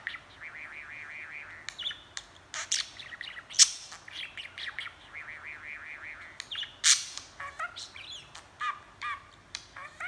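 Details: Budgie talking and chattering at length: repeated wavering warbles, sudden harsh squawks and clicks, short chirps and squeaks tumbling together in an irregular stream.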